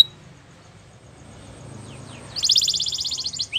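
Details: Belgian canary singing after a near-silent start: a brief high note and faint downslurred whistles, then a loud, buzzy rapid trill held for about a second, with low room hum throughout.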